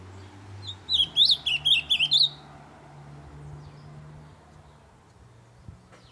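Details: A loud ultramarine grosbeak sings to encourage other birds to sing: one short burst of rapid, zigzagging whistles lasting just over a second, then several seconds of faint background hum.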